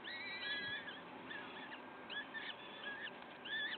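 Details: Peregrine falcon at the nest in Wakefield, recorded 5 May 2021 at 06:55: drawn-out, wavering wailing calls with strong overtones, rising and falling, repeated several times over a steady background hiss.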